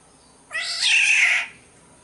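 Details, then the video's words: A lure recording of a Sumbawa black-naped oriole gives one drawn-out, hoarse, cat-like mewing call of about a second, rising and then levelling, over a still background. "Pancingan suara burung kepodang SUMBAWA"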